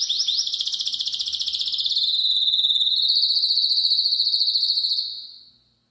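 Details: Spanish canary singing with great force: a fast, evenly pulsed high trill held for about five seconds, dipping slightly in pitch, then fading out.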